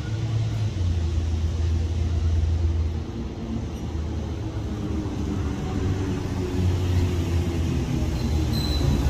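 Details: Continuous low road-traffic rumble from passing vehicles, with a faint engine drone rising and falling throughout.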